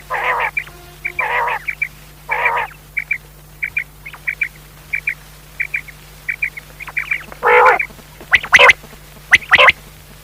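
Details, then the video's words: Pakistani quail calling, a recording meant for night hunting: short high clipped notes repeated about once a second, mixed with louder harsh buzzy bursts and a few sharp clicks, over a steady low hum. "Batair ki awaz raat k shikar kalea awaz"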